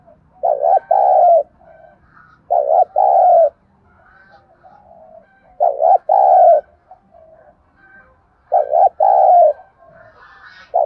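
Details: Spotted dove cooing in thúc gù style to lure wild doves to a trap: five deep paired coos, short then long, repeated about every 2.5 seconds, with quiet low murmurs between phrases.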